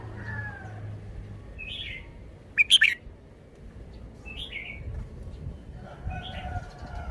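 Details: Red-whiskered bulbul kept in a cage, singing to show its song style: soft slurred whistled phrases with one loud, sharp double burst in the middle and another distant bird calling faintly.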